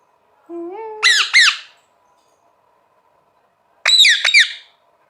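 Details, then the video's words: Pet green parrot, a talking bird, indoors: a low tonal hum, then two sharp harmonic squawks near one second, and after a pause a second pair of bright, descending squawks. "Parrot Sound Talking Parrot Bolne wala totha calling"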